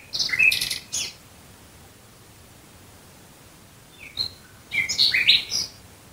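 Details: Song of a nightingale at night near Dresden: short bursts of chattering, high notes, a long silent gap, then a jumbled phrase of squeaky, buzzy notes in quick succession.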